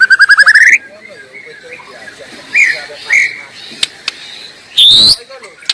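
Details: Wild white-rumped shama: a quick rising trill of rapid notes, then scattered faint whistles and a loud rising whistled note near the end, with soft background noise.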